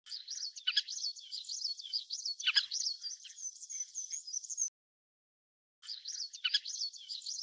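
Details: Little curlew (Numenius minutus) calls form a long, dense stream of high, rapid, twittering notes with occasional sharper accented calls. The chatter stops for about a second, then resumes in the same busy pattern.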